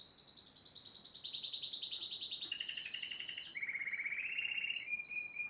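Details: A yellow Spanish timbrado canary, recorded in 2011, delivers rapid rolling trills that step downward in pitch across several phrases, ending in a lower buzzy trill and short high bell-like notes.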